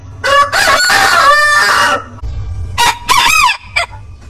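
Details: Rooster crowing among heritage breeds: a loud harsh crow of nearly two seconds, then fainter broken crow notes over a low hum.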